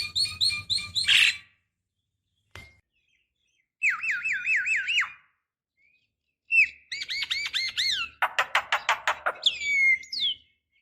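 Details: Decoy calls of a female Javan myna summoning a male: buzzy repeated phrases, a string of wavering whistles, looping slurred notes and a fast dry rattle, separated by short silences.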